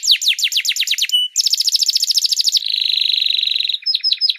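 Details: Master canary song for tutoring other songbirds: quick descending notes repeated in a tight series, a brief pause, a rapid trill, then a dense, even buzzing roll before scattered short chips.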